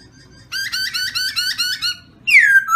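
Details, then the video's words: Black-throated laughingthrush song, a rapid run of bright, buzzy repeated notes for over a second, then a pause and one loud, clear downward-slurred whistle. "chim khướu mun hót hay poksay"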